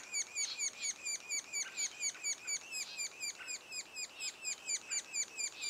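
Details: Steady calling from young sapsuckers inside the nest, two days before the first one fledges, a quick metronomic series of rough downslurred notes about twice a second.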